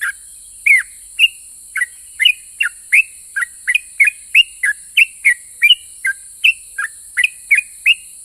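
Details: Sustained long ropel song of a sooty-headed bulbul, the style said to draw answers from other bulbuls: a dense, steady stream of clear chirpy whistles, roughly two to three per second, some downslurred, with a faint continuous hiss behind.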